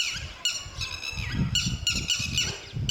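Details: Lapwing calling with short, piercing, squawking notes in rapid series, strident and slightly nasal, over a steady low rumble of outdoor background noise.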